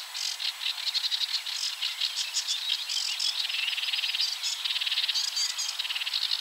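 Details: Sedge warbler song at coordinates 53.286375, 22.608654, a rapid run of dry, rattling churrs and buzzy trills in fast repeated bursts, harsh and insect-like, with little pause between phrases.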